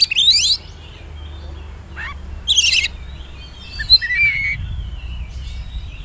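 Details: Oriental magpie-robin whistling to provoke rivals and coax young birds to sing; a few loud harsh bursts and chirps, then a softer stretch of wavering high whistles with low rumble.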